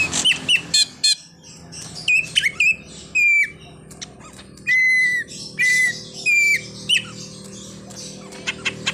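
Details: A greater green leafbird pours out a full song of borrowed phrases, one of them a car horn imitation. Rapid chirps and trills alternate with several sustained level whistles, each lasting about half a second.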